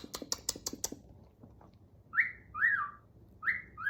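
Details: Pet male galah snuggling with its owner indoors, first a run of sharp clicks, then a pause and three or four squeaky rising-then-falling chirps.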